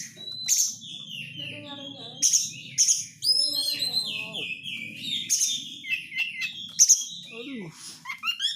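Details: Oriental magpie-robin chattering lure song meant to make a bird go wild: a continuous medley of scratchy rasps, sharp accented notes and sliding whistles, with a low background hum throughout.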